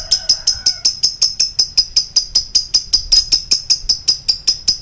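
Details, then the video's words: Lovebird giving a long choking series: an unbroken, evenly paced stream of sharp, high, clicking notes, close to three per second, kept up for the whole stretch, with a brief faint lower tone early on. "Love bird long choking"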